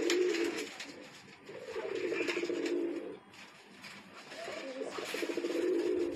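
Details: Indoor pair of Pakistani Sialkoti pigeons cooing: low, rolling, slightly pulsed coos in four stretches, some near two seconds long, with soft rustling behind.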